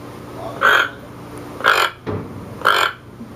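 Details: Toco toucan giving three harsh, hoarse croaks, each about a quarter second long and spaced roughly a second apart, over a faint steady hum.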